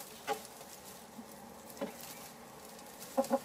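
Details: Chickens in a henhouse give short, soft clucks: one near the start, another just before two seconds, then a quick double cluck at the end, over a steady low hiss.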